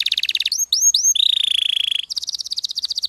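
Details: Singing canary in lively song used to stir other canaries into singing: a fast buzzy trill, three upward-curving whistled notes, a long steady rattling roll, then rapid high chattering trills.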